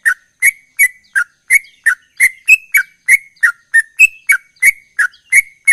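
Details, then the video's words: Short fluty notes from a sooty-headed bulbul singing gacor, delivered in a steady rapid chain, nearly three per second, mostly level or down-slurred, with a couple of higher rising whistles, each note crisply clicked at the onset. "Trucukan Gacor Ropel"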